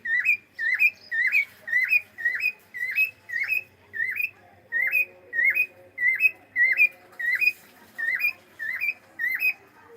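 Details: Pet cockatiel saying hello: a long run of loud, harmonic chirps with a sharp upward kink, repeated roughly every half second for ten seconds, with a faint low hum underneath.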